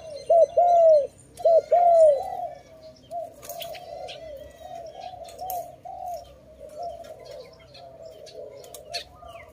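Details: Two loud pairs of low, hollow dove coos near the start, each a short note then a longer one, followed by a long stretch of softer distant cooing and faint chirps, recorded during bird trapping.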